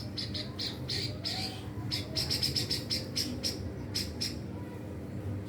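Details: White-rumped shama, described as a young bird learning to sing nonstop and showing off its full repertoire of mimicked fill-in phrases: a run of short, sharp high chirps repeated quickly at an uneven pace over a low indoor hum.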